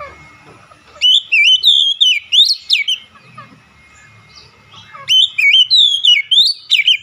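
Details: Oriental magpie-robin, a kept bird, singing two energetic bursts of bright, wavering whistles and quick chirps, with a quiet gap of about two seconds between them.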